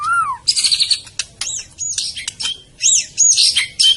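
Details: White-rumped shama of the Medan type singing a fast, varied song: a low slurred whistle opens, then high buzzy chatter, sharp rising and falling whistles and quick trills crowd together without pause.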